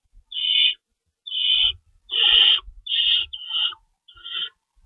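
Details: Night feeding at an owl nest, March 25 2012, with food being shredded for the young; six harsh hissed screeches of varying length, uneven spacing, and soft scraping thumps underneath.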